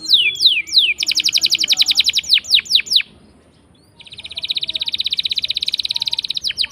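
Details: Canary song used as a lure to prompt silent canaries to sing: rapid downslurred whistles, then a fast buzzy trill, more sweeping notes, a brief pause, and a long even rolling trill.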